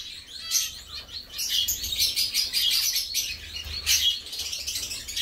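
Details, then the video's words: Zebra finches, kept as pets, singing, chirping and bathing while feeding; a steady wash of overlapping high, hissy chirps from several birds, swelling and fading in waves. "Zebras finches song, chirp, sound and bathing"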